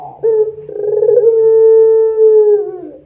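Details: Dove of the puter pelung type on a lure recording used to train other doves: one brief opening note, then a single long, steady, low hollow coo held for about two and a half seconds, sagging slightly at the end.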